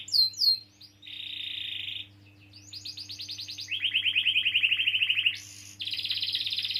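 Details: Canary long-rolling song meant to trigger singing in young or silent canaries: high downslurred chips, a flat buzzy tone, then trilled rolls stepping between pitches and a fast high roll at the end, over a low hum.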